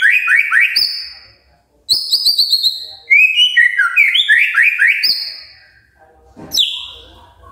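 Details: Magpie-robin singing a morning song to trigger other magpie-robins: rapid bursts of high repeated chips alternate with lower swooping whistled notes, separated by short silences, ending with a sharp rising call.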